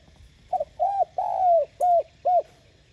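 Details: Spotted dove cooing to spur other doves into calling: a stuttered opening note, then a long drawn coo and three short, rounded, evenly spaced coos, all mellow and low, with faint steady background hiss.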